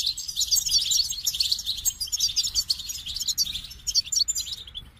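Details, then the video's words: High, fast twittering from a goldfinch, a bright jumble of tinkling chirps and liquid trills running almost without pause, with a soft low background hum. "The Captivating Call of Goldfinches"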